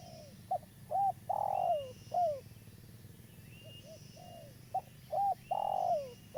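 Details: Local spotted dove, a lively caller used as a lure for trapping: mellow cooing phrases of a short note, a looped note, a long drawn coo and a falling note, given twice, with a quieter partial phrase between and faint thin whistles behind.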